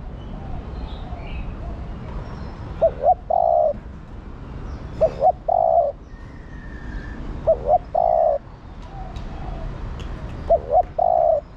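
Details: Female spotted dove calling to the male, cooing throughout the day: four low cooing phrases spaced about every two and a half seconds, each two short notes then a longer hollow coo, over steady background hiss and faint other bird chirps.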